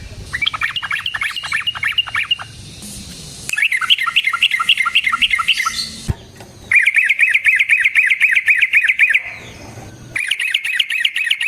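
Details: Yellow-vented bulbul ropel song used as a lure for trapping: several separate bursts of rapid, regular bubbling trills, cut by short quiet breaks and a sudden click.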